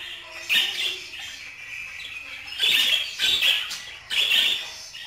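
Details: Budgerigar squawking in raspy, buzzy phrases, four loud bursts separated by short pauses, each harsh and grating, with low background hiss.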